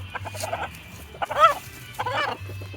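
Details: A male gamebird that is moulting and blind in the right eye, always loud and constantly making this noise, gives short, harsh clucking bursts, two louder rasping notes about half a second apart, over a low steady hum.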